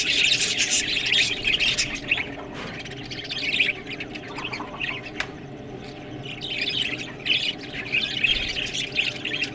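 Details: Budgies feeding on green food give bursts of loud squeaky warbling and chirping, separated by quieter gaps, with a couple of sharp clicks and a louder flurry near the start.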